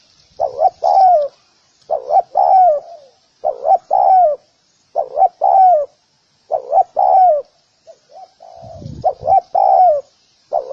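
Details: Repeated luring coos of a spotted dove: steady phrases of two short notes followed by a longer descending coo, about seven phrases, plus a brief low thump near the end.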